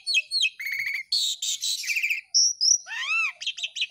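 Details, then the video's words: Asian pied starling in rapid, varied song, used to train other starlings: swooping whistles, dry rattling chatter and harsh buzzy notes tumbling together with barely a pause, all high-pitched, over background music. "JALAK SUREN GACOR"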